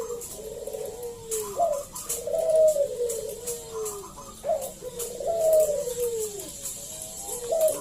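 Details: Local zebra dove singing energetically to prompt other doves to answer: long rolling coos slurring downward, each phrase opening with a sharp higher note, repeated in two main phrases.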